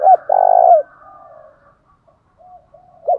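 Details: A spotted dove's long buzzy coo, used to provoke singing, trails off into faint low coos. A short hooked coo starts the next phrase at the very end.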